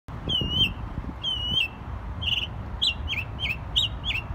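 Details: Jay singing: clear whistled, slurred notes, each rising then falling, repeated roughly once a second, at first drawn out and level, then shorter and more looping, over low background rumble.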